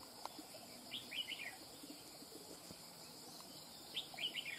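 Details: Wild-caught red-whiskered bulbul singing fast-running song phrases: two bursts of quick, bright, slurred whistled notes about three seconds apart, over a steady high cricket chorus.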